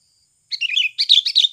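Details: Sooty-headed bulbul recording used as a lure call for trapping, giving two quick bursts of bubbly, chattering notes, bright and mid-high, with a brief pause between; no other sounds.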